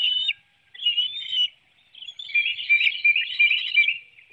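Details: At a Hanover, Pennsylvania bald eagle nest on 9 June 2019, 7:04 a.m., an adult serves a small fish to an eaglet; two short high whistles separated by silence, then a quicker chattering run of piping notes.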